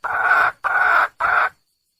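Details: Wild junglefowl female calling for a male with three evenly spaced, harsh, buzzy notes about half a second each, steady and clear over a silent background.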